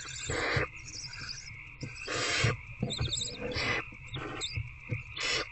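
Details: Inside an owl box on the night of 19 February 2024, an adult barn owl feeds a rat to an older owlet: repeated raspy hissing screeches of varied length, with scattered clicks and shuffling beneath.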